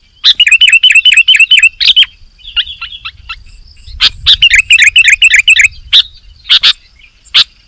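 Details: Vigorous sooty-headed bulbul song: an evenly repeated chirpy phrase, then softer scratchy notes mid-clip before loud chattering phrases return over a faint low rumble.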